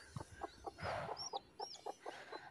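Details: Freshly hatched deshi chicken chicks from a home hatching; evenly spaced short peeps repeat through the clip, with a brief louder burst and a couple of higher whistled chirps mid-way.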